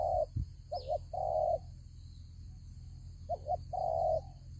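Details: Spotted dove acting as a lure in a Vietnamese fighting trap gives two cooing phrases, a hooked double note then a long, even coo, with a brief thin high note from another bird and a steady background hum.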